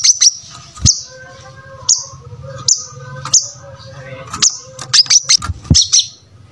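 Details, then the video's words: Brown-throated sunbird singing briskly, used to teach other birds: a rapid series of shrill high chirps, spread out at first, then crowding into fast bursts, over a low background hum. "Pancingan Suara Kolibri Kelapa Gacor"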